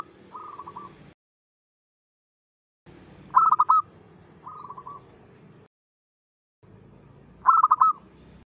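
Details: A local zebra dove sings a lure song meant to attract other zebra doves. Soft, quavering whistled phrases are each followed by louder rapid trilled bursts, separated by stretches of silence.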